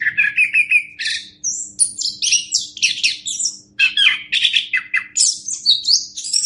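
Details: Orange-headed thrush, a master recording for tutoring other birds, opens with repeated quick double notes, then breaks into rich, varied whistled and chattering phrases that run on steadily.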